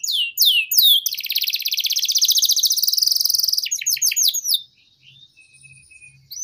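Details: Canary singing a long song for training young birds: sweeping notes, then a fast buzzy trill lasting over two seconds, more descending whistles, and a quiet fading end.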